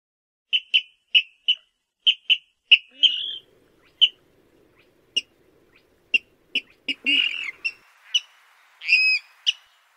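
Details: Rail calls played at night as a lure for net trapping: a run of short, sharp, high notes repeated about twice a second, broken by brief buzzy squeals and a louder harsh, wavering squeal near the end.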